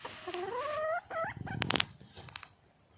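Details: Wild hen junglefowl seeking a male: a loud, rising, nasal call lasting about a second, followed by a shorter note, then knocking and rustling noises close by.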